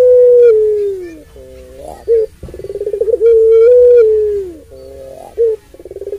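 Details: Puter pelung dove singing its long call, used to rouse and teach other doves. Deep, steady, falling coos alternate with short hoots and rapid pulsing stutters, the phrases flowing almost without pause.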